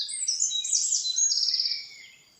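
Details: Common nightingale singing in a forest: a bright, high warbled phrase of sweeping whistles that ends in a quick, buzzy run of repeated notes and then fades, with no other sounds.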